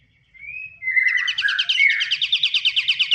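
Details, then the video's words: Pied triller (kapasan kemiri) lure recording: opens with a thin rising whistle and slurred notes, then breaks into a rapid, steady trill of buzzy repeated notes that grows louder and continues to the end. "Pancingan burung || KAPASAN KEMIRI"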